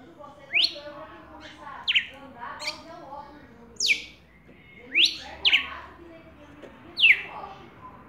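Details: Red-cowled cardinal, also called galo-da-campina, singing a lot while calling a female, recorded live; bright sharp notes sweeping from about mid to high pitch, spaced roughly one to one and a half seconds apart, with faint lower background chatter.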